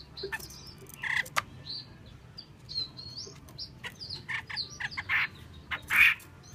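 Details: Female Chinese hwamei giving scattered short chirps, sharp clicks and brief thin whistled notes, loudest near the end. The notes come at an irregular pace over a low background hum.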